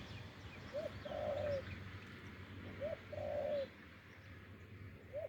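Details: Deep-voiced wild spotted dove lured to a decoy on a branch gives soft repeated coos, a brief upward note then a drawn-out descending coo, about every two seconds, with faint background hum.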